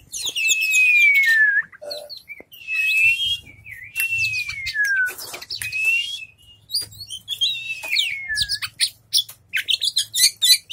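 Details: A tail-fanning Oriental magpie-robin sings a loud, varied song of sweet descending whistled slurs mixed with fast scratchy chatter and bright trills, delivered in quick bursts over a faint low hum.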